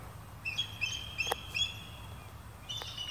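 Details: Bald eagles (Haliaeetus leucocephalus), perhaps 50 perched in trees at a golf course, communicate with thin, high piping chitters in quick runs of several notes, with a sharp click midway and a low background rumble.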